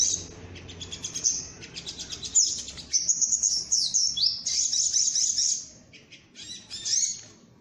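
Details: Lure recording of a sunbird for trapping birds with birdlime: rapid high-pitched chirps and buzzy trills, then a sustained shrill wavering phrase, with short bursts of thin twitters after it.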